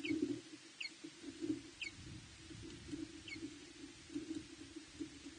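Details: Osprey at the Loch Arkaig nest on 23 April 2021, as another female arrives and the male follows carrying a fish; faint, short, descending chirps repeat about once a second over a steady low hum and rumble.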